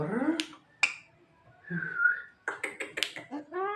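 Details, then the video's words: Javan myna mimicking indoors: a drawn-out nasal wail, sharp snapping clicks, a soft breathy whistle, then a quick jumble of clicks and voice-like notes ending in a rising nasal cry. "suara burung jalak kebo yang lucu dan bisa menirukan suara orang batuk"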